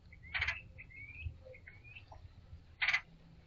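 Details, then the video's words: A chatty red-headed woodpecker sits on a balcony railing next to bird feeders. Two loud, harsh, grating calls about two and a half seconds apart, with thin faint whistled notes between them. "One Very Chatty Red Headed Woodpecker"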